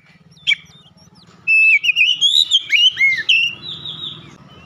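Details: Loud gacor ngeplong song of an Oriental magpie-robin singing with beak wide open: one sharp note, a pause, then a flowing string of bright rising and falling whistles, with a low hum behind.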